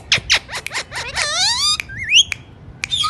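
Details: Alexandrine parakeet indoors making a quick series of downward-sweeping chirps that merge into a long rising harsh squawk, then a short twisting whistle and a few clicks.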